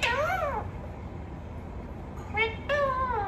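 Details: Pet talking parrot producing drawn-out, meow-like harmonic calls that arch up and down, one at the start and two more after a pause, over steady low room hum.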